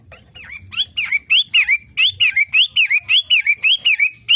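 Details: Long-tailed shrike's daily song: bright whistled notes swooping up and down, repeated about twice a second in a steady run of some thirteen phrases, starting softly and growing loud, with faint low rumbling behind.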